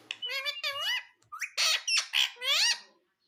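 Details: Pet parrot talking indoors, a rapid string of nasal, harmonic speech-like syllables with bending pitch and a few louder, harsher squawky words, ending abruptly.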